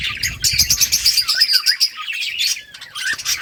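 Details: Budgerigars playing and chirping in a quick run of short, sharp tweets and warbles, about three per second, with some low rumbling at the start.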